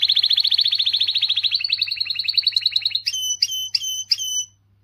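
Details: Strong canary song used to motivate females. A rapid buzzy trill gradually slows into separate pulses, then gives way to four clear whistled notes, evenly spaced and each sharply downslurred, before stopping.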